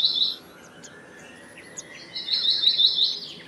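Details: Black-naped monarch, also called black-naped blue flycatcher, singing: a short burst of rapid, high ringing notes opens the clip, and a longer quick run of sharp repeated notes follows after a pause. Faint chirps from other birds sound in between.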